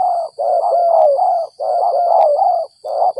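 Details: Spotted dove trapped after rain, a 'gagap 6 mata' singer: low, husky cooing phrases in long, stuttering runs with short breaks between them, over a faint steady high-pitched tone.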